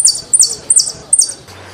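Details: Saffron finch song: four sharp, very high descending notes repeated evenly about every third of a second, then a short quiet pause.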